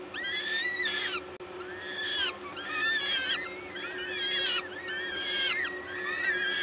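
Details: Peregrine falcon nest, Gdańsk, Poland, 14 May 2022, 11:07, parent feeding: insistent, overlapping wheezy screeches in clustered bursts with brief pauses, a constant low hum behind.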